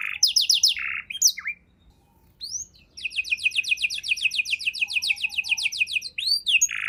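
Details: Canary performing richly varied song meant as a tutor for songbirds. Quick buzzy phrases and a rasp give way to a brief pause, then a long fast metallic trill and rising whistled sweeps.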